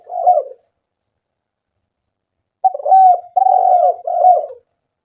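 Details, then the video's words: Spotted dove cooing, used as a lure to make doves call: one short husky coo phrase, then a pause of about two seconds, then a longer run of three joined low, mellow coo notes. "Pancingan suara burung tekukur gacor"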